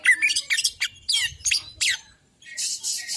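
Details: Male white-breasted Oriental magpie-robin singing to trigger another bird: a rapid series of sweeping whistles and scratchy downslurred notes, a brief silence, then a harsh high buzzing burst.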